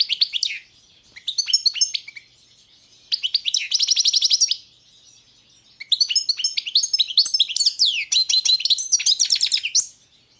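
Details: Goldfinch, Carduelis balcanica, delivering phrases of high liquid twittering mixed with rapid buzzing trills, with short pauses between phrases and no other sounds.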